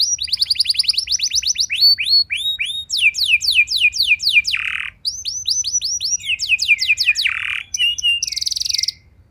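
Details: Canary in full song, used as a lure to set other canaries singing: long rapid trills, repeated rising and falling whistled notes, occasional harsh buzzy bursts, continuous and high-pitched throughout.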